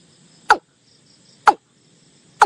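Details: Watercock call played to lure birds for hunting. Three sharp, clucking notes drop steeply in pitch, spaced about one second apart, with quiet background noise between them.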